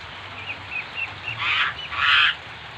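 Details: Bali myna singing lively while imitating other birds: a row of short high whistled notes, then two louder harsh, rasping bursts.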